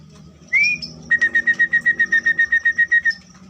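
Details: Caged orange-headed thrush in a colony breeding enclosure gives one rising whistled note, then a steady string of about fifteen clear, evenly spaced piping notes, with a thin high buzzing in the background.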